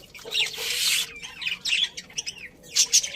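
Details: Budgerigars in a colony chirping happily: a dense burst of noisy, squawky chatter at the start, then short warbled notes and scattered sharp high chirps in quick, irregular bursts.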